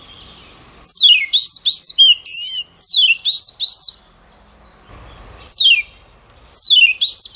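An oriental magpie-robin sings loud, clear whistled phrases with quick downward-sweeping notes.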